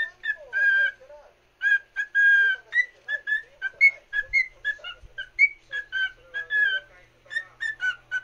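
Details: One cockatiel sings to another: lively whistled melody of sustained tones and quick clipped notes, about eight seconds of near-continuous phrases with short gaps and faint quiet background.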